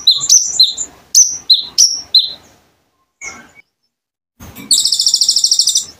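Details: Konin bird song used to teach kolibri ninja birds: a burst of high sharp chirps, a silent pause, then a loud, evenly pulsed buzzy rattle.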